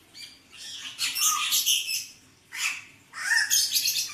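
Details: Hooded butcherbird, 'blorok' variety, in full voice: loud rasping, squawky bursts about a second long, three rough phrases separated by short pauses, with a faint higher chatter between them.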